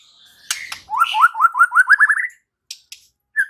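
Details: White-rumped shama in full gacor song: a sharp burst, then a quick series of about nine short rising whistled notes, each slightly higher than the last, followed by a few faint clicks.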